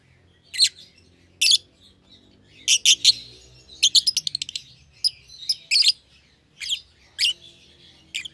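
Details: Young pair of caged lovebirds, a euwing green opaline and a red-eyed albino, kept together in a cage for one pair after being seen feeding each other; sharp high chirps in short bursts, including a rapid stuttering series near the middle.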